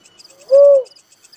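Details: One mellow, rounded coo from a little cuckoo-dove, swelling up and dropping away in under half a second, with faint cricket trilling behind it.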